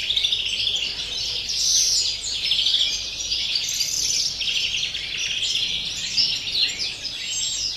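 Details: European greenfinch, pure campero song, 30 December: long flowing warble of fast twitters and buzzy trills, with loud peaks near the second and seventh seconds and brief dips between phrases.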